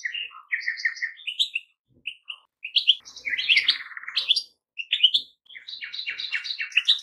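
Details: Song of goldfinches: a rapid, jangling medley of chirps and twitters that swells into a dense buzzy trill, then runs on in fast tinkling phrases.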